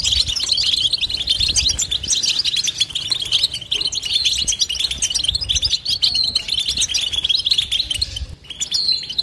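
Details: European goldfinch twittering nonstop: a dense, continuous run of fast high chirps and trills with a few buzzy notes, steady throughout with only a brief lull near the end.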